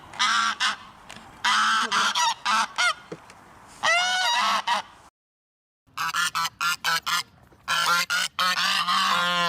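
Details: Clusters of loud, nasal goose honks come in repeated bursts, some notes wavering and rising, broken by a full second of silence midway before another series of rapid honks.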